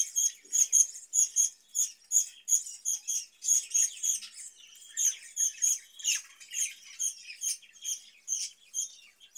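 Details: Caged budgerigars giving a run of short, sharp, squeaky chirps repeated roughly twice a second, mixed with a fainter raspy warble.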